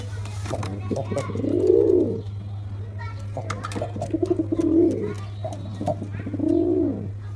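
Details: Cooing black pigeon gives three rounded, rolling low coos that rise and fall, the first and last loudest, with soft clicks and rustles in the pauses and a constant low hum throughout.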